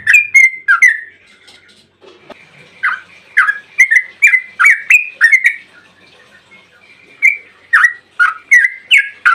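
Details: Trucukan, the yellow-vented bulbul, in 'ropel' lure song meant to set other bulbuls singing: bursts of quick chattering notes, a short lull with softer sounds, then a fresh run of bubbly slurred chirps.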